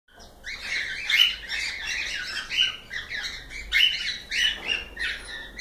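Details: Pet cockatiels chattering and singing live: overlapping squawky chirps and short whistled notes in bursts, several birds calling at once with busy rhythm.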